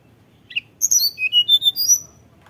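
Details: Tledekan gunung song as a lure to make kept birds sing: a short sharp chip, then a lively sequence of thin, high, flute-like whistles climbing in pitch and ending in quick slurs.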